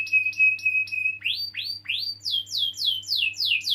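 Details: Canary lure song for young or silent canaries: a flat whistled note with short chips above, then clear upswept whistles followed by fast descending sweeps repeated about four times a second.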